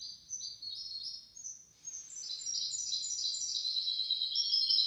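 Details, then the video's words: Goldfinch-canary hybrid song used for tutoring goldfinches and canaries. Continuous high, chattering trills build from softer opening phrases into a louder, steady stream of bright twitters. "تغريد طائر الهجين الميسترو حفاضة ودانية لتعليم طيور الحسون والكناري بدون أخطاء"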